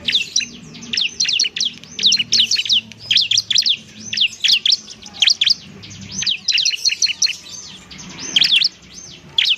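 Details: Training recording of a semi-gacor ciblek, or bar-winged prinia: energetic high chattering song of rapid slurred chirps, delivered in steady bursts across nearly ten seconds.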